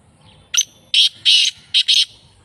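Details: Black francolin, known locally as kala teetar, recorded at Sukkur, Pakistan: a loud, harsh, grating call of five notes, a short clipped opener followed by four longer buzzy bursts in quick succession, over a faint low rumble.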